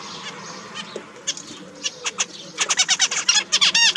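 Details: Zebra finch, one of four kept finches, starts with sparse single chirps, then breaks into a rapid string of nasal, buzzy notes repeated several times a second.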